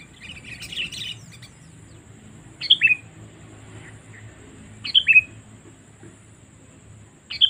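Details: Sooty-headed bulbul call played to lure wild birds: a short, sharp, high chirp repeated roughly every two and a half seconds, after an opening burst of chatter, over quiet background hum.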